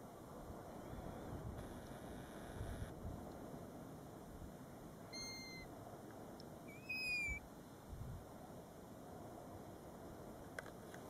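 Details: Golden plover calling near a nest only a few feet from the road at Båtsfjord, recorded from a car; two brief whistled notes, the second slurring down, amid low wind and engine rumble.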